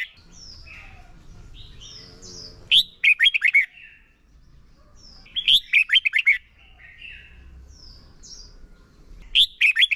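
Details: Red-whiskered bulbul decoy giving competitive training song, ép bổi sổ bọng và căng lửa style: three phrases about three seconds apart, each a soft whistled lead-in and then a quick burst of five or six bright notes, over a low hum.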